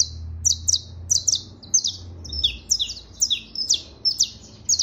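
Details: Saffron finch (Sicalis flaveola) song, meant to stimulate other birds: a steady run of sharp, high chirps, often paired, some slurring downward, about two per second, over a faint low hum.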